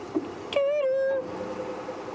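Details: Sabi Sand, South Africa, at sunset on March 1, 2016: a raptor judged to sound like a Wahlberg's eagle gives one drawn-out, clear whistle of about half a second. It stays level, then dips slightly, while squirrels and birds alarm-call at it.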